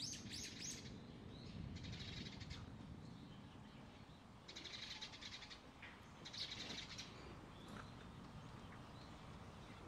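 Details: Black-billed magpies in Korea, picking up fallen dogwood fruits from the ground, give short, harsh, rasping bursts every second or two, over a steady low rumble of background noise.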